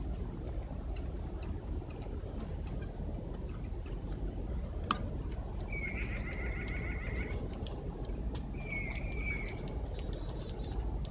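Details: Blue jays in early morning with a black squirrel eating sunflower seeds: one drawn-out, raspy call, then a shorter second one, over constant low background rumble and a single sharp tap.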